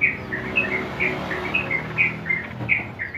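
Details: Bulbul tutor song in ropel style for training young yellow-vented bulbuls: spaced, mellow whistled notes alternating higher and lower, about three per second, over a faint background hum.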